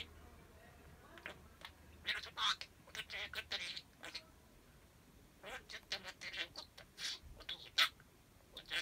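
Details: Talking pet parakeet running words together as if forming sentences, untaught; quick squeaky high-pitched syllables in two dense runs separated by a short lull.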